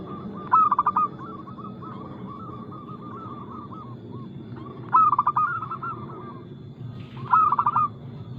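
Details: Local zebra dove singing, a fast-toned, loud, crystal-clear voice played as a lure to prompt other birds to sing: three bursts of rapid, stuttering cooing notes, each followed by a softer run of even coos, with steady low background hum.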